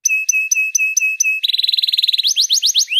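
Canary song: a row of six clear, high whistled notes, then a fast buzzy trill and quick rising sweeps, with no other sounds.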